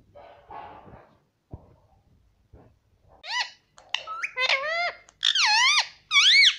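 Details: Pet parrot talking, saying "Mummy": low murmurs and knocks at first, then increasingly loud, clear, rising-and-falling harmonic syllables in quick groups toward the end.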